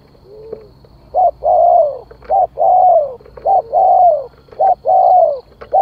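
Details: Decoy spotted dove calling to lure wild doves: soft, mellow coo phrases, each a short note followed by a long drawn coo that slides downward, repeated about once a second. Quiet low hum underneath.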